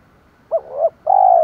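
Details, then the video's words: Spotted dove call used to lure wild birds: two short hooting notes followed by a longer, level, drawn-out coo, low-pitched and clean. "chim cu gáy THỔ pha thúc đấu dút chim bổi"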